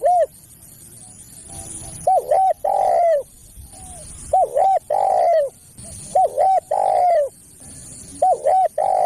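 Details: Spotted dove call played to attract other doves: quick double hoots followed by a long falling coo, the phrase repeated four times at a steady pace over low background noise.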